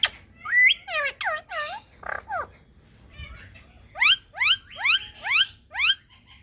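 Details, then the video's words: Indian talking parrot giving harsh, rising squawky calls, first in a quick cluster, then after a pause a run of five loud upward-sweeping shrieks about half a second apart. "Indian Talking Parrots"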